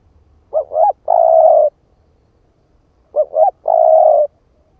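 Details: Two clean coo phrases from a spotted dove of the 'ức chẻ' type used as a lure, each with two brief rising notes before a long, level, hollow coo, about 2.5 seconds apart.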